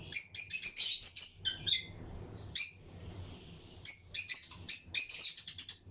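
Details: Breeding colony of lutino lovebird pairs in an aviary, chirping alongside other birds: dense runs of quick, piercing chirps, a lull with a thin high hiss of calls, then another flurry of rapid staccato notes.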